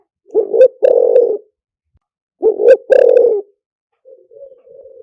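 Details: Spotted dove liu tan lure song meant to draw doves in fast: two loud phrases, each a quick double coo then a long burry coo, followed by quieter, wavering coos.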